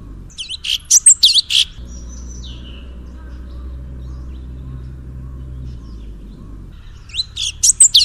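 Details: Full 'tembakan' song of an orange-bellied leafbird (cucak cungkok): a quick cluster of high, sharp chattering notes, about five seconds of near silence with a low background hum, then another dense burst of shrill chirps.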